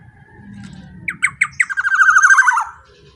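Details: Black-naped oriole singing loudly, used as a lure to stir other golden orioles: a few sharp rising notes, then a fast harsh buzzy trill held for about a second before dropping away, with a soft low hum beneath.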